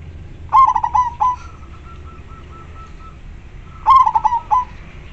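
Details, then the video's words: Local zebra dove kept as a lure for wild doves, giving a loud clear call: a stuttering run of quick coos ending in a longer note, repeated after about three seconds, with a faint steady tone between phrases. "Perkutut lokal gacor suara jernih dan besar ampuh buat pancingan"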